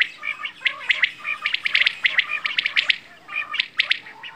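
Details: Quail (bedana, batair) calling in rapid clipped chirps, often grouped in twos and threes, forming an almost continuous chattering series against a quiet background.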